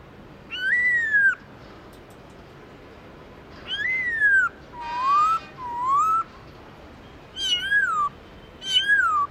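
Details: Black-throated laughingthrush singing its wild-style song, varied voices: clear whistled phrases that rise and then slide down, a rising whistle with a raspy buzz, and repeated falling slurs, each about a second long with short pauses.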